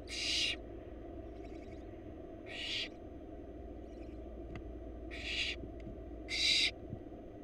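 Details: Barn owl chicks, wild, in a monitored nest box in Florida, begging as their mother feeds them. Four loud, rasping, hiss-like screeches sound at irregular intervals, with a few soft faint notes and clicks between them, over constant low hum.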